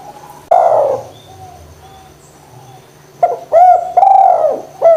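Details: A lure recording of a spotted dove meant to rouse lazy doves into calling. One soft coo, then a pause, then a phrase of quick short notes ending in a drawn-out hollow coo. A new phrase begins at the end.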